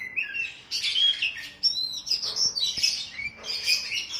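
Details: Training song for a caged oriental magpie-robin, pitted against sooty-headed bulbul: loud clustered bursts of high chirps and whistles alternating with clear slurred notes, faint low hum.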